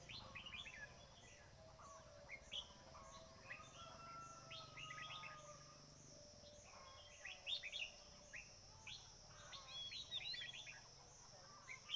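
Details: Bulbul chirps at a trapping spot for red-whiskered bulbuls: scattered bright sweeping notes, busier near the start and toward the end, quieter stretches between, and a faint steady hiss.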